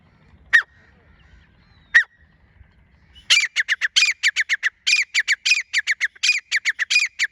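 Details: Female grey francolin, known as teetar, 24 January 2025: two isolated sharp calls followed by a rapid burst of loud, harsh repeated notes in quick succession, clean with little background noise.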